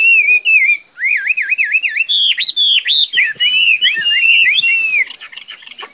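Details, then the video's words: Chinese hwamei pouring out loud, clear whistled song: a run of wavy looping notes, then sharp upslurred whistles and quick rolling phrases, fading at the end. "Singing nightingale. amazing bird song. Garrulax canorus"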